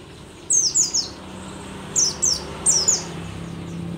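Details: Rare Merapi mountain white-eye, an old bird singing hard, gives two quick groups of three sharp, high, downslurred chirps about two seconds apart, with a faint hum beneath.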